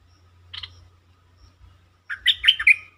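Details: Bulbul song played as a lure to excite birds: a brief buzzy chirp, then a loud, quick run of jumbled whistled notes at the end, with faint low rumbling underneath.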